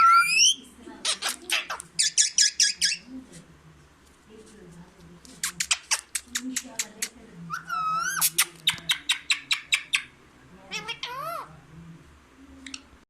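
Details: Green parrot, kept indoors, talking and saying the Urdu phrase "mian mithu": rapid bursts of harsh, clicking pulses alternate with whistled rising and falling notes and speech-like sounds, repeated throughout.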